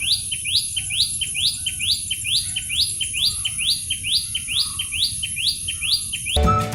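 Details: A Common Tailorbird in Sri Lanka gives loud, sharp upslurred notes, about two each second in a steady run, over a constant thin high whine; a shy urban garden bird whose loud calls give away its presence.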